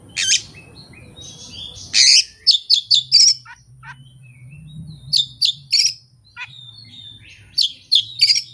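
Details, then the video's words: Kacer singing solo, no master recording and no rival nearby, delivering learned fill-in phrases: rough harsh bursts and crisp repeated chips, with thin whistles and a low background hum between. "KACER JAYA SURYA NEKAT BONGKAR ISIAN TANPA MASTERAN DAN TANPA LAWAN"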